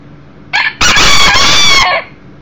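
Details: One-year-old Millefleur d'Uccle rooster, a younger beta rooster brought indoors to visit a broody hen with chicks, crowing once: a loud, harsh, sustained crow lasting over a second after a short opening note, with room hum.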